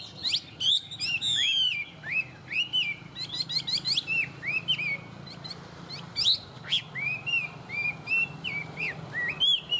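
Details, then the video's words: Tame Chinese hwamei from Vietnam singing well: a rapid, varied run of clear whistled notes, rising and falling slurs and sharp upward sweeps, packed in quick bursts with brief gaps. "Họa mi thuần hót tốt"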